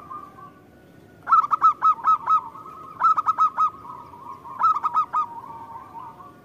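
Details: Singing local zebra dove on a lure recording meant to prompt replies: three loud phrases of five or six quick, hollow, staccato coos, with a faint steady purr underneath.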